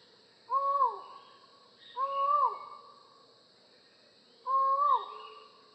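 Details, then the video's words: Collared forest falcon calling three times: loud, drawn-out hollow notes, each about half a second, rising slightly then sliding down, spaced roughly every one and a half to two and a half seconds over a quiet background. "Falcon Call Video: Collared Forest Falcon Bird Sound"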